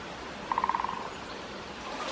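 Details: Great spotted woodpecker drumming in a small woodland on 1 January 2024, one of two birds that at times answered each other. A single quick roll of about nine strikes slows and fades over half a second, over steady background hiss.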